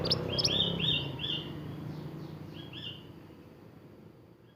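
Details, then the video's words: Energetic gacor singing of a mantenan, a bird native to Indonesia, recorded for tutoring caged songbirds: quick high chirps running into clear, slurred whistled notes, a brief pause, then another phrase fading over low background rumble. "BURUNG MANTENAN GACOR UNTUK MASTERAN"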